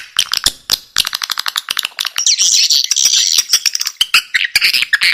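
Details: Lure sound for drawing swiftlets in: fast clicking rattles running into shrill, buzzy chattering twitters, densely packed and continuous.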